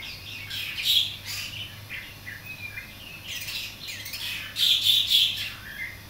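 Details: Young greater green leafbird learning its song while tutored by Javan myna, cucak jenggot and cucak wilis songs: harsh squawks, chattering bursts and brief high whistled notes, uneven and rambling, over a faint low hum.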